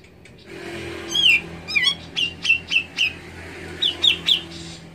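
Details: Grey-cheeked bulbul, played to stir a silent caged bird into song: clear whistled notes, some sharply slurred up and down, about eight in five seconds, over faint low hum.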